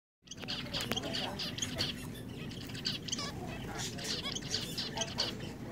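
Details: Several zebra finches hopping in a cage at a pet shop give short, nasal, high chirps in quick overlapping bursts, over a steady low hum of shop noise and faint voices.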